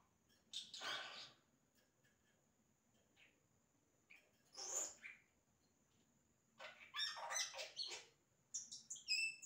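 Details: Yellow-rumped cacique singing imitated sounds: loud harsh broadband calls separated by quiet pauses, then a rapid string of crackling notes ending in high pure whistles.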